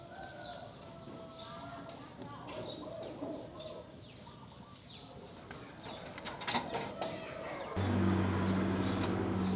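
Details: Young mynas at the nest while their mother feeds them, giving quick high chirps over and over at a rapid, fairly steady pace. A low hum and background rustling run underneath, and a louder noise burst comes near the end.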